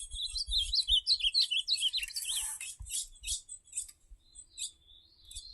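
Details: Ultramarine grosbeak singing a campeada: a quick warbled phrase of sliding, whistled notes rising and falling, followed by scattered sharp chirps and faint low rumbling.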